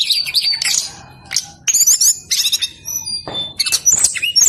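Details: Insistent brown-chested jungle flycatcher song used to draw other birds into singing: bursts of high twittering and trilled phrases separated by short gaps, with thin whistled notes between.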